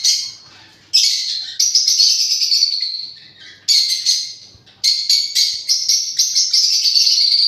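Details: Parrot uttering long, harsh chattering screeches in several sustained runs, separated by brief silent breaks.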